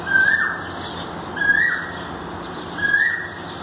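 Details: Asian koel calling, dated 5-5-19: three clear whistled notes, each rising in pitch, spaced about 1.4 seconds apart over a steady background hiss.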